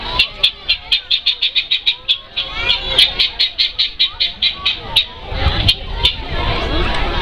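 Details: Guineafowl at a zoo's Heart of Africa exhibit in July, heard while giraffes walk: a rapid series of harsh, rhythmic cackling notes, about four per second, then a more confused chattering stretch, with people talking nearby.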